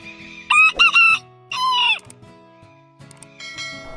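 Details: Rooster gives a strident crow in two quick bursts, then a second drawn-out falling note, with a steady musical backing and fainter sounds later.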